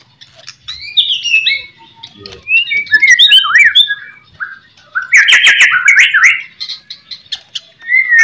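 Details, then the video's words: Song of a white-rumped shama, played as a master track to provoke other shamas into replying: separate bursts of sliding whistles and twisting warbled notes, one loud scratchy run near the middle, sharp clicks, and short pauses between phrases. "HITUNGAN MENIT SAJA, MURAI BATU APAPUN LANGSUNG NYAUT"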